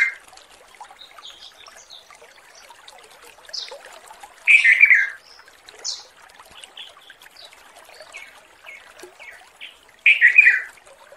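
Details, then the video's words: Wild male sooty-headed bulbul calling to a female: two loud, bubbly, chattering bursts about six seconds apart, over many faint chirps from other birds and a soft background trickle. "burung kutilang manggil"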